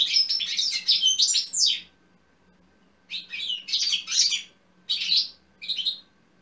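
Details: European goldfinch song used to stir up other goldfinches to sing, recorded in 2020: bursts of rapid twittering, tinkling and buzzy notes in three phrases separated by short pauses, with a faint steady hum underneath.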